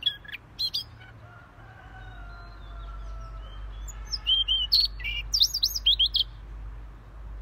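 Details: Siberian rubythroat giving a brief squeaky opening, then several seconds of near quiet under a steady low hum. It ends with a run of sharp, wavering high whistled and chirping notes.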